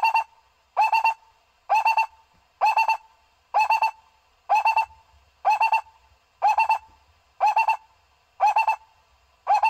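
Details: Barbet call used to lure barbets for trapping: a steady run of short throaty two- to three-note phrases, repeated about once a second in regular rhythm, with nothing else audible.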